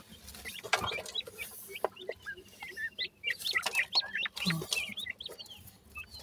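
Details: Feeding grey francolin chicks at the nest, called desi teetar locally, utter rapid, high-pitched, bending peeps, roughly four per second, amid light rustling.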